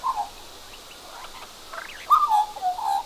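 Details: Australian magpie with a cockroach in its mouth, beside a second magpie, making unusual soft, low warbling croaks and gurgles around one pitch with brief rising notes; possibly courtship or showing off, in a quiet setting.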